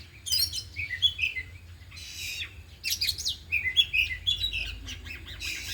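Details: Afternoon practice of four caged oriental magpie-robins, all singing and bringing out isian imitations. Sharp whistled notes and short chattering phrases alternate with harsh noisy bursts and brief lulls over low hum.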